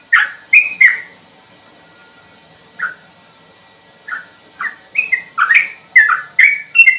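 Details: Sooty-headed bulbul with a slow song and ropel runs: loud bubbly notes, spaced widely at first, then a fast cluster of rolling whistles near the end.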